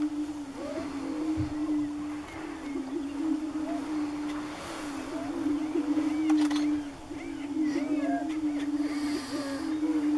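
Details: Several greater prairie-chickens displaying on a lek near Wray, Colorado, in April 2015 make low, hollow, moaning booms that overlap into a steady drone, broken by higher cackles and whooping notes.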